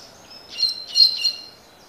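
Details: Double-collared seedeater, tui tui (tocó) style singer: a thin steady high whistle followed by two short bright buzzy bursts, with quiet surroundings.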